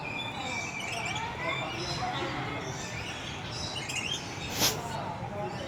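A red lory gives high, sharp chirps and short tweets with one loud screech near the end, over a steady background hum and faint voices.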